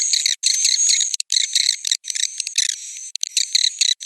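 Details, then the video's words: Swiftlet roosting call: rapid clicking chirps stacked in several high bands, with a faint sustained whistle, in choppy bursts with many tiny gaps. "Suara Inap Burung Walet"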